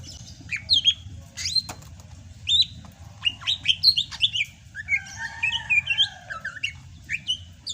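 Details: Greater green leafbird of Sumatra in vigorous (gacor) rainy-season song: a rich medley of sharp chips, bent whistles and a fast warbling run, with notes tumbling one after another.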